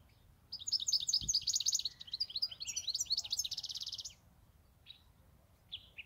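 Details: Long tinkling warble from a European goldfinch kept as a pet for eight years: rapid high twitters running about three and a half seconds, ending in a buzzy trill, followed by a few single chirps; a light knock is heard.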